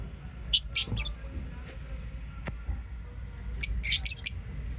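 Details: Lovebirds chirping and singing: two clusters of sharp, very high, scratchy chirps, one near the start and a denser burst near the end, separated by a quiet stretch with low background hum.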